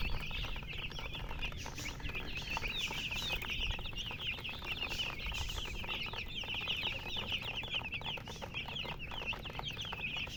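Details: Baby chicks peeping constantly, many high, sharp chirps packed closely together, each a quick falling note, with a soft low hum beneath.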